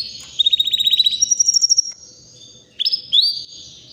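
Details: White canary about three years old singing: a fast buzzy trill of repeated notes near the top of its range, stepping higher after a second, then a pause and a few bright rising whistled notes.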